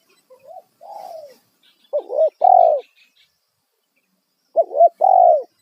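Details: Spotted dove lure call in loud kuk satu style for attracting wild birds. A soft rising note and a mellow falling coo open the clip. Then twice a crisp wavering double note is followed by a strong hoot. Faint chirps sound in the background.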